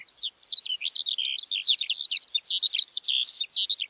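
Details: Skylark giving a continuous, high, tumbling stream of chirps and warbled notes, with rapid shifts in pitch and no pauses. There is no background noise.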